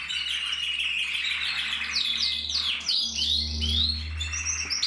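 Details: Male canary from 2024 in full song, pouring out dense rolling trills and quick up-and-down slurred whistles without pause, bright and high, with a faint low hum beneath.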